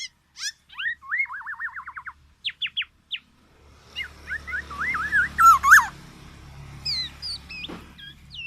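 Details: Black-naped oriole: a slurred call and a quick wavering trill, then a few clipped notes. Busy warbling and whistled phrases follow over a steady low hum.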